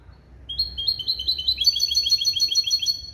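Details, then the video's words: Hybrid of male goldfinch and female canary, trained in clean limpio goldfinch song, 2021: a couple of separate chirps build quickly into a fast, ringing, high-pitched trill lasting over two seconds. "CHANT DE MON HYBRIDE JILGUERO ET CANARI"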